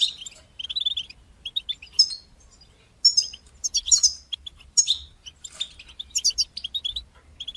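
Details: Singing European goldfinch, bitbata and sitsata styles meant to encourage goldfinches and teach chicks; a varied run of thin whistles, buzzy notes and sparkling twitters in irregular bursts of about one per second.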